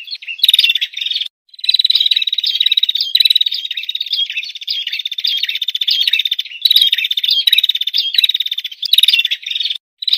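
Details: Lure recording of an olive-backed tailorbird, used to attract birds in the forest: long stretches of rapid, high, buzzy trilled chatter broken by two brief silences, steady and insistent throughout.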